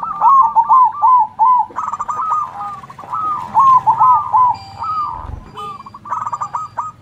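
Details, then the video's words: Loud-voiced zebra dove singing in manggung style, answering local zebra doves: a steady series of mellow, rolling coos, each note dipping and rising, about two or three per second, with other doves calling back and faint chirps. "Perkutut gacor suara besar MANGGUNG saling sahut dengan perkutut lokal"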